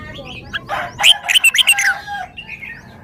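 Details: Caged red-whiskered bulbul showing off its song repertoire: a burst of short, bright whistled notes, several quick rising-falling phrases clustered in the middle, with softer chatter before and after.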